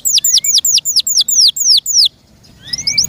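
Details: Pet canary under its owner's care. Eight loud, evenly spaced downslurred whistles come about every quarter second, then a short pause and soft rising notes.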